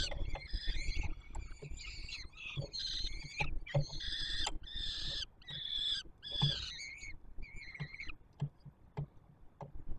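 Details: Peregrine falcon chicks fed by the adult male on the Palace of Culture and Science, Warsaw, 7 July 2022; a string of short, harsh, squealing cries, some clipped, others longer, with scattered knocks and low hum.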